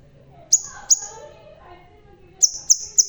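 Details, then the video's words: A bald crimson sunbird sings two shrill high chips, falls quiet for over a second, then gives three more rapid piercing notes; soft low background noise. "Burung Sepah Raja Ekor Merah.. Biar Botak Tapi Tetap Gacorrrrr.."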